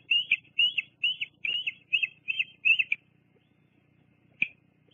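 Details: Juvenile bald eagle exploring around the nest at Fraser Point, 2 July 2022, via live cam; seven high, piping, slightly rising chip notes in a quick even series, then quiet with one last short note.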